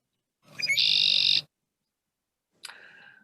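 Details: A male Red-winged Blackbird, advertising that his mate is taken, gives two quick introductory notes, then a harsh, buzzy trill lasting about a second; after a pause, a thin falling call follows.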